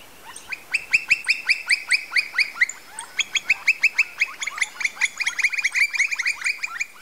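A Campo flicker gives loud, harsh, downslurred notes in a rapid series, about four a second, then faster and denser overlapping notes, as if two birds call together.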